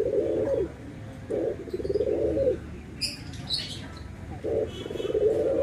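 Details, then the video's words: Barbary doves, white and brown forms compared, each giving a clipped low coo burst, with gaps between the bursts. A few faint high bird chirps sit in the middle. "PERBEDAAN SUARA ANGGUNGAN BURUNG PUTER PUTIH DENGAN PUTER COKLAT"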